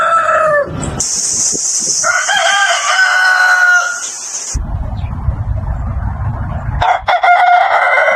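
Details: Crowing roosters on a chicken farm, recorded among several types: a short crow, a long hoarse crow under a steady high hiss, a stretch of low rumbling noise, then another crow starting.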